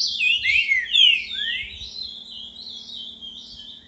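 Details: Boca mole song of a Green-winged saltator (pixarro) at 10:40 on a Tuesday in late December: loud swooping downslurs open into a fading, continuous high warble over a steady low electrical hum.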